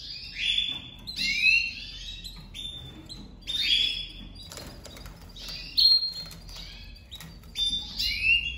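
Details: Domestic canary pair first put together for 2023 breeding, the female crouching for the male: sweeping whistled phrases and steady trilled tones in bursts every one to two seconds over faint background hum.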